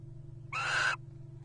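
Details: A loud, single, harsh screech of about half a second from a wild Little Owl pair courting at nest boxes in the 2023 breeding season, with a low steady hum behind it.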